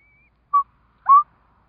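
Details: Eurasian curlew at a nest where four chicks have hatched, giving two short whistled notes about half a second apart, the second longer and slightly rising; otherwise quiet.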